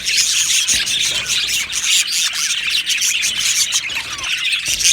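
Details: Budgerigar colony in an aviary, Australian parrots singing and chirping together: thick, continuous high-pitched twittering and squeaky warbles, with occasional sharper squeals rising out of the chorus.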